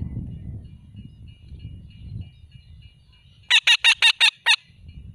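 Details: Alexandrine parakeet with a burst of six loud, raspy, evenly spaced screeches in about one second, following low rumbling background noise.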